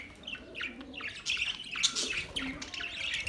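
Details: Budgies chattering in quick, high, twittering chirps, soft at first and then denser and louder, a continuous warble of short notes with several birds seemingly overlapping.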